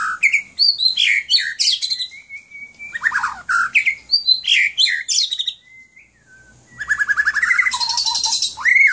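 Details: Dense, rich song of a pet White-rumped shama from Aceh, Indonesia, with fast mixed whistles and harsh notes, a brief quiet gap, then a rapid trill ending in looping upslurred whistles.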